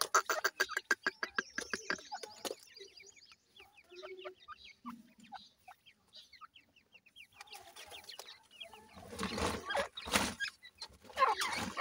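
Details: Captive grey francolin chicks kept for sale in Multan. A burst of loud clicking and tapping comes first, then many thin, high, slurred peeps from several chicks in a quick irregular series, and finally rough broadband rustling and thumping.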